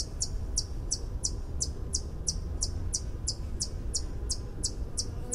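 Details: High, clicking tink notes from a white-eared hummingbird, repeated about three times a second in a regular series, over low-pitched background noise.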